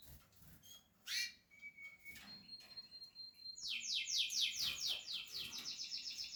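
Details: Portuguese harlequin canaries with nesting chicks, bred in captivity: a few scattered chirps and a thin whistle, then a loud fast series of sharp rising-falling notes, about two per second, building into a trill.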